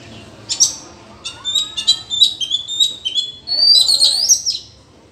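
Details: Wild Oriental magpie-robin in a forest singing duel, described as intense: a varied run of sharp high chirps, slurred whistles and rising notes in quick irregular bursts, with a faint lower whistled slur beneath.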